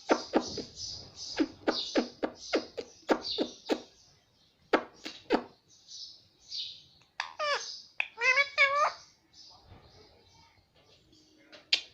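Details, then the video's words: Pet pahadi parrot (Alexandrine parakeet) calling indoors: a fast series of harsh, rasping squawks, then a cluster of wavering, warbled notes that dip and rise, softer chattering, and a final sharp squawk. No other sounds intrude. "pahadi parrot natural sound"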